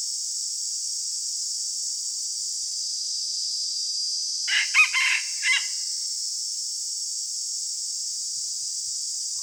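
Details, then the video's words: Morning crow of a decoy red junglefowl used for trapping. After long quiet stretches of steady high hiss, one short, fairly faint crow in a few choppy bursts comes midway, then hiss again to the end. "ต่อไก่ยามเช้าไกหมาน ຕໍ່ໄກ່ຍາມເຊົ້າໄກ່ຫມານ"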